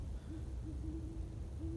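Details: Great horned owls, two calling to each other at sunset on the winter solstice during a walk in the Greenbelt on Staten Island: a series of low, steady hoots, some brief and one drawn out, over a constant low rumble of outdoor noise.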